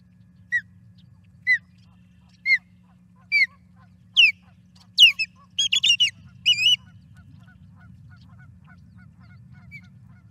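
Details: Evening of May 12, 2022 at the Charlo osprey nest, 5:45 pm MDT: a wild osprey escorting an intruder out of the area gives spaced, down-slurred whistles about one per second, rising in pitch and quickening into excited, wavering piping, then quiet.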